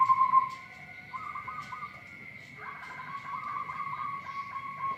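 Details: Local zebra dove with a strange voice: a short clear note, a faint wavering phrase, then a longer, softly rolling, pulsed phrase held at one pitch, with a constant high hum behind.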